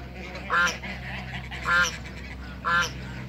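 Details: Male Toulouse goose confronting a pair of Muscovy ducks in a backyard, giving three loud, nasal honks about one second apart, each a short harmonic blast.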